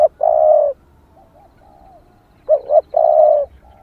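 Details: Low cooing from a female spotted dove calling to stir up males; a double-pulsed note leads into a drawn-out, mellow coo, repeated twice, with quiet faint coos between the phrases.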